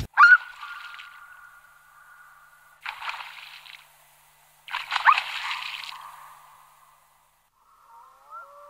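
A Black-throated Loon gives a long, steady wailing note, then two harsh, ragged bursts about two seconds apart, ending with a faint trailing tone.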